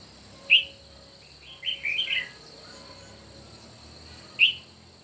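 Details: In a morning song contest, a red-whiskered bulbul gives a clear whistled note, then a quick jumble of four or five chirpy, warbling notes, and a final bright note, over an even high drone.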